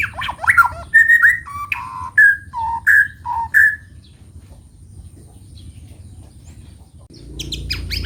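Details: White-rumped shama singing in the morning: a run of clear, varied whistled phrases, some rising and some falling, delivered in quick succession for about four seconds, then a pause before a brief burst of higher whistled notes; low background hum.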